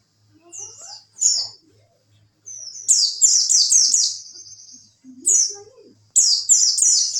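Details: Oriental white-eye singing as a tutor for contest birds, wit wit style, with scattered high falling chirps, then a rapid string of downslurred notes and a drawn-out high trill, plus a lower rising whistle and faint background thumps.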